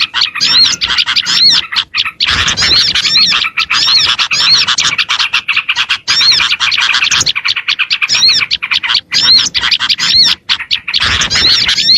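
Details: High twittering chatter of small birds used as a lure, many sharp, quickly rising and falling chirps crowded together in long bursts with brief breaks, continuing throughout.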